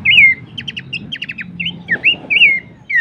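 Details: Pelanduk semak, Horsfield's babbler, recorded for songbird training: a loud falling whistle, then quick triplets of short stacked ticks, followed by further rising and falling whistled notes.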